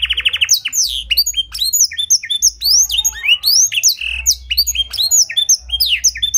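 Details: Master song of a canary filled with blackthroat phrases, clear-toned, for prompting other canaries: short trill at the start, then a dense run of high rising and swooping whistled notes with no pauses.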